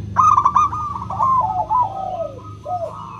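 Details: Crystal-voiced local zebra dove used as a singing lure for silent doves: a loud stuttered opening, then a long trilling coo series sliding downward, ending in a soft curved note.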